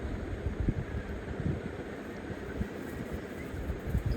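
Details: Rumbling wind and handling noise with a broad hiss throughout, with no animal call.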